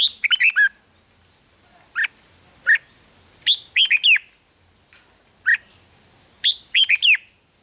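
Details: Thai red-whiskered bulbul song, used to excite caged birds: rapid chirpy phrases alternating with single sharp notes, roughly every second or two, in a quiet setting.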